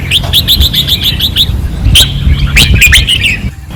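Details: Red-whiskered bulbul on a training perch in Pattani, 2024, singing fiercely: a quick run of about a dozen evenly spaced sharp notes, then louder warbled phrases, with a low rumble behind.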